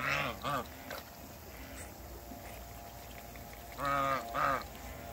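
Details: Backyard African geese, a couple kept with other waterbirds, honking in short paired bursts: two harsh nasal calls at the start, a quiet stretch, then two more loud honks.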